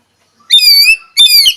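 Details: Oriental magpie-robin, kacer, a champion songbird, giving two loud sustained pure whistles, the first long and level, the second shorter and similar.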